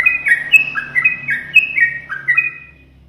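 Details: Yellow-vented bulbul in captivity, kept lively by an owner who teases it, sings a quick chain of fluty whistles alternating between higher and lower pitches, trailing off near the end amid low background hum.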